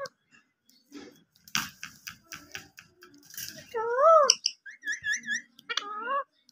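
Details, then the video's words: Tame, playful pet rose-ringed parakeet talking indoors: a string of short clipped syllables like chattered words, then loud wavering whistles that rise and fall, and a final warbled whistle. "intelligent talking green ring neck"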